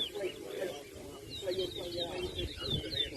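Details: Towa towa singing at a bird race in a park at Anna Regina, Essequibo, Guyana, 2023: rapid warbled, twittering high phrases run on almost without pause over a crowd's low chatter and voices.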